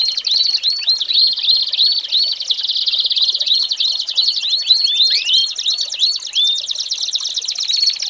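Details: American Singer canary tutor recording for young birds: continuous rapid trills and rolls, packed with repeated curved whistled notes, loud and unbroken throughout.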